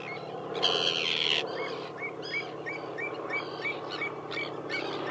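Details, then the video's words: Common tern recorded in June 2012 on the Kuyalnik estuary in Ukraine's Odesa region: one loud, hoarse screech, then a steady series of short, clipped, downward-bending calls repeated about three times per second, with low background hum. "Речная крачка (Sterna hirundo) на Куяльницком лимане"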